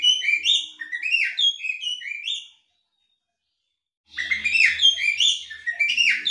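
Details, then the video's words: Female Oriental magpie-robin doing ngobra calling to set off a male: two bursts of rapid whistled, chattering notes separated by about one and a half seconds of silence, the second burst harsher, with faint low hum. "kacer betina NGOBRA bikin jantan manapun langsung ikut ngobraa"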